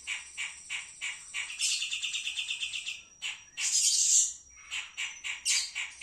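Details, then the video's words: Wild pied triller song: quick repeated chirps running into a rattling trill, then sharper bright notes, with a steady high whine in the background. "kapas tembak"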